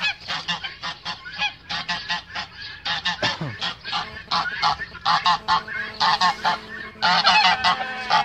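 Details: A male goose defending its mate gives repeated raspy honks in quick series, getting louder toward the end, with a low background hum.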